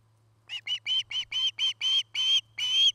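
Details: Nest-camera recording of an osprey at its nest in Charlo, Montana, 8 September 2018, early afternoon: eight sharp whistled notes in quick succession, growing longer and louder, with a low electrical hum underneath.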